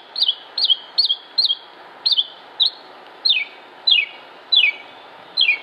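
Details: Northern Mockingbird singing in Concord, North Carolina, United States, dated 07-06-2016: a sharp, high note that rises then falls, repeated about six times in quick succession, then a switch to a descending slurred phrase repeated five times, over a steady hum and faint background noise.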